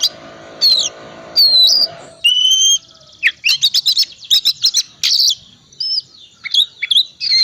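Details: Oriental magpie-robin of the 'cold' type in full varied song used as a lure for quiet birds: clear upslurred whistles, a buzzy sustained note, a quick rattle of chips, then scattered bright whistles.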